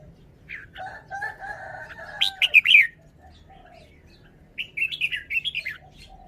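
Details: Red-whiskered bulbul song style: a loud run of rapid, ringing, warbled notes over sustained background whistles, then a pause and a second bubbling, lilting phrase.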